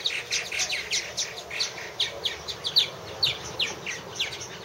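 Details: Purple martins calling at one of three nest houses in 2014: a steady flow of bright, slurred chirps and croaky twitters, roughly two or three notes per second, several birds overlapping.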